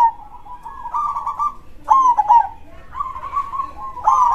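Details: Zebra dove (perkutut), a local bird in full song in the 'dor krosing' style with a big voice, giving steady purring coos broken by sharper accented, slightly falling notes around two seconds and again at the end.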